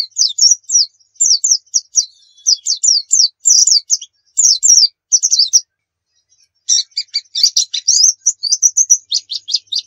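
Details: Master song of a pleci (white-eye) used as a lure: clusters of quick, high chirping notes in short phrases, a brief silence, then a denser, buzzier burst ending in rapid repeated notes.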